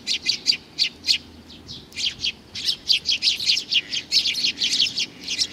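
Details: Young sparrow chick calling: steady run of short, high chirps repeated several times a second, evenly spaced and insistent, with no other clear sounds.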